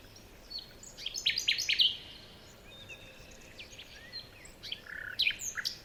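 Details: Forest birds in the morning give a loud burst of quick, sharp chirps, then softer scattered calls and whistles, before another cluster of bright chirps near the end.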